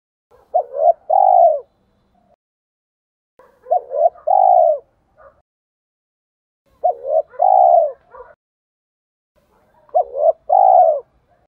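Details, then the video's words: Low, mellow cooing from a spotted dove in the giọng thổ pha đồng voice, a luring bird: four phrases about every three seconds, each a quick two-part hoot then a drawn-out falling coo, occasional soft extra notes. "tiếng chim cu gáy giọng thổ pha đồng, cu gay kich boi nhanh noi gù"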